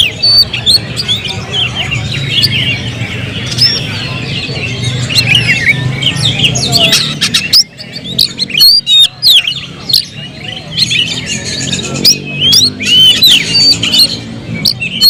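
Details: Oriental magpie-robin singing; whistles and chips are partly muddied by a low rumbling hum for the first half, then become clear, sharp and rapidly varied with loud clicks.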